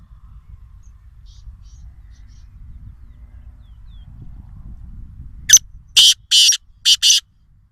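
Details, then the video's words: Black francolin, adult and chick voices named, from Sindh: after a quiet stretch, a sudden series of five loud, harsh, broadband rasping notes in quick succession near the end, each short and clipped, over low rumbling background. "Black_Francolin_sound_vs_beautiful_black_Francolin_baby_sound |کالے تیتر اور تیتر کے بچے کی اواز"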